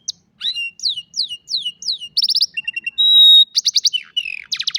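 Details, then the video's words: An old canary sings in the afternoon: repeated descending whistled notes, then fast pulsed trills, a steady pure whistle and more rapid rattling phrases, all high-pitched and loud. "Old Canary sings beautifully in the afternoon"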